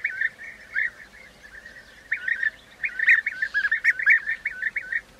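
Bee-eaters giving rolling, liquid trilled calls in quick overlapping bursts, several birds calling together at a fairly high pitch.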